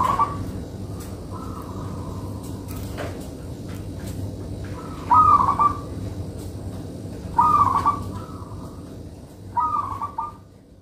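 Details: Singing local zebra dove (perkutut) used for luring: soft coo at the start, then three rolling trilled cooing phrases each followed by a brief lower coo, with scattered clicks and low hum around.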